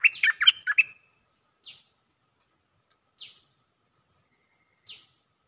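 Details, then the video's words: Calling for a mate, a Cream-vented bulbul opens with a loud rollicking chatter, then gives spaced, soft, falling notes, each preceded by a faint high whistle. "เสียงนกดอกแตงEp.155 สับไม่หยุด!! เสียงเรียกคู่ เพลงดี ร้องวน Suara pikat merbah lekir gacor"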